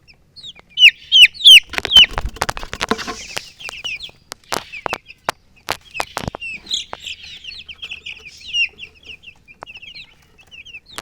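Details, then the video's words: Baby chicks chirping, a loud run of high falling peeps at first, then a stretch of rattling clicks and taps, followed by softer scattered chirping. "Witty MURGI Baby "Chicks Chirping" Sound"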